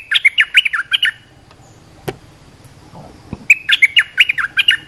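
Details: Olive-winged bulbul call played to train young birds and lure wild bulbuls: bubbly, chattering runs of quick liquid notes, about two a second, in two bursts split by a quiet gap with a few clicks.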